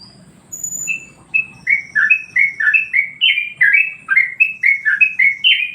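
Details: Yellow-vented Bulbul singing a master song used to provoke and train other birds: after a brief quiet start with thin high tones, a regular sequence of liquid, slurred whistles follows at a quick, rolling pace.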